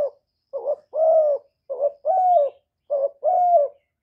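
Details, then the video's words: Spotted dove coo call, a kept bird's voice used to lure wild doves: three rhythmic pairs, a brief note then a longer steady coo, repeated about every 1.2 seconds, clean and quiet background. "Cu gáy hạp bổi GÁY GỌI + THÚC + GÙ + BO kích bổi hiệu quả, cu đất gáy, tiếng cu cườm gù, cu bo"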